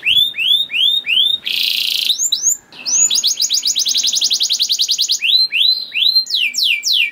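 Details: Singing canary used to provoke other canaries into song: arched whistled notes, a short harsh buzzy burst, then a long rapid rattling trill and more arched whistles.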